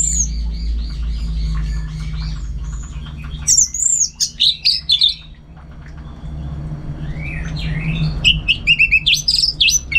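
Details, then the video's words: Lively song of an orange-headed thrush at home in Singaraja, North Bali: dense varied phrases of sharp high whistles and twitters, a short pause midway, then more rapid, mixed rising and falling notes over a low hum. "Super Kicauan ANIS MERAH Gacor"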